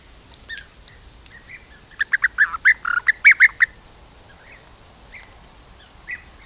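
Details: A group of European bee-eaters hunting bees at an apiary near Corte Franca, Cavarzere (VE), Italy, caught by camera trap during typical late-afternoon thunderstorm conditions, gives a quick run of rolling, liquid 'prruip' notes, about five a second, then softer scattered calls over faint hiss.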